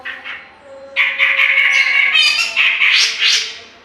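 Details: Grey-cheeked bulbul singing loudly, used to lure other birds; a soft opening note, then a sustained run of rich, buzzy chattering phrases rising at the end, with a faint steady hum underneath.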